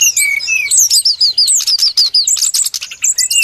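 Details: High clear whistles from a brown-chested jungle flycatcher in a lure recording for trapping: a falling phrase, then evenly repeated slurred notes, ending in bursts of rapid high chips.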